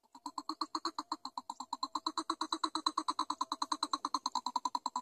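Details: Greater coucal chicks, several young whose parent cannot find enough food for all of them: a rapid series of harsh, nasal pulses, about eight per second, held steady for the whole stretch with no other clear sounds.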